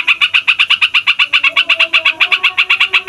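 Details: Fighter yellow-vented bulbul in a rowdy, extended roll meant to stir other songbirds into singing: a very even chain of crisp, buzzy notes, about four per second, never pausing, with faint low tones behind.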